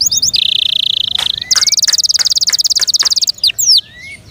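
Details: Kept canary singing a loud, rapid song: quick high notes, a fast buzzy trill held about a second, then a brighter, even faster rattling trill and a few sharp sweeping notes to close.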